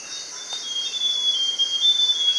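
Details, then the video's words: Forest scrub robin (Cercotrichas leucosticta) giving a thin, high whistled note that wavers slightly and holds steady for about a second and a half, over a loud, constant insect hiss. "Rouxinol da Floresta - Ouça seu lindo e misterioso canto"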